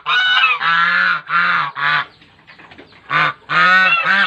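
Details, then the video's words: Group of swans giving loud, brassy, trumpet-like honks in rapid succession, about two per second, with a short quieter pause of faint murmuring before the chorus resumes. "the sound of the swans singing"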